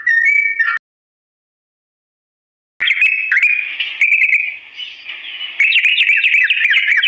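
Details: Yellow-vented bulbul in a long ropel song used as a lure for imitation: a short whistled phrase, two seconds of silence, then a rapid, scratchy, warbling chatter building in strength.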